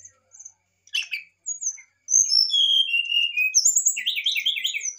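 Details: Excited brown-chested jungle flycatcher song used to provoke a rival: scattered high whistles and short chips lead into a sustained phrase of clear descending whistled notes, ending in fast rising trills.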